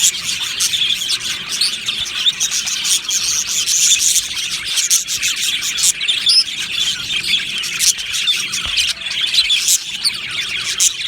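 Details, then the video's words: Happy budgerigars in an aviary colony, chirping together as a dense, continuous wash of high twittering and scratchy chatter with no pauses, many birds calling at once. "Budgie Sounds for lonely Budgies | Happy Budgies Birds Sounds | birds Chirping Sounds"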